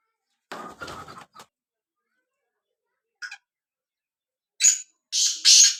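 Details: Low rustling and scraping sounds, then near the end a black francolin (kala tetar) gives a sharp note followed by two loud, harsh, buzzy bursts.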